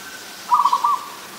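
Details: Short staccato phrase of about four quick, rolling coos at steady pitch from an adult zebra dove, recorded 24 December 2020 in Ubon Ratchathani, Thailand, against a quiet background.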